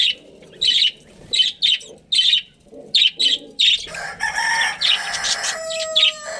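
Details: Colony of breeding budgerigars: sharp chirps in short separate bursts at first, then continuous warbling chatter with a few steady whistled notes near the end.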